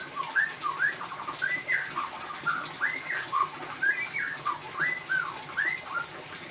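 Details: White-rumped shama singing in the ngeriwik style, used as a lure to draw song from a silent bird: clear whistled notes rising and falling, looping phrases repeated about twice a second over steady faint background hiss.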